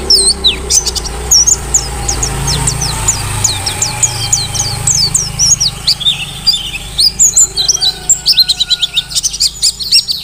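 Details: Mountain white-eye, a forest-caught Merapi bird called 'ngalas', singing vigorously for use as a tutor recording: rapid high thin chirps and slurred twitters in quick bursts, with a faint low hum behind.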